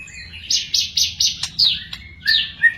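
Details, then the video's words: Wild magpie-robin sings a row of four rapid, high, scratchy notes, then sharp clicks and downslurred whistles, ending with a brief bright warble. "burung murai di alam liar"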